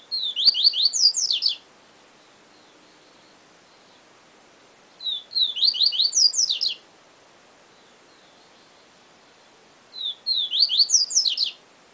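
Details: Yellow-bellied seedeater (Sporophila nigricollis), known as papa-capim, singing in the siu siu song style: three bursts of rapid, high, sharply slurred notes, each about 1.5 seconds long and recurring roughly every five seconds, with faint soft notes between them in quiet surroundings.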